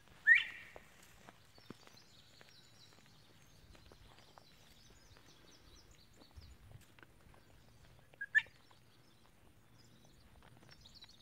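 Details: A male northern bobwhite singing from a slash pile of dead trees and treetops gives two loud, rising whistled calls about eight seconds apart. Faint high chirps from other birds sound in a quiet outdoor background.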